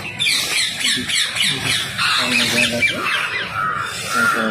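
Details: Wild Rose-ringed Parakeets being fed fill the air with harsh, overlapping squawks and chattering screeches, several birds calling at once, with a human voice faintly underneath.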